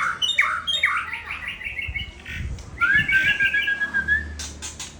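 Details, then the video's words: White-rumped shama, the Aceh type called murai Aceh, from Sabang, singing loud whistled phrases: quick repeated rising notes, then a long slurred whistle with trills, ending in sharp chips. "Murai Aceh Balak Ori Sabang"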